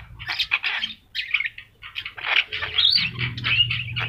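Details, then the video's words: Javan myna with yellow eyes in energetic song, used to train other birds: choppy raspy squawks, then a sharper rising whistle-like note, over a faint low hum. "jalak kebo mata kuning gacor"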